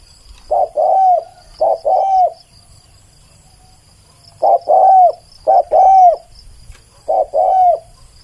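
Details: Spotted dove, recorded clearly for use as a decoy, giving paired coos: a short note followed by a longer, level-then-falling coo, in three bursts separated by pauses, over a faint steady high hiss.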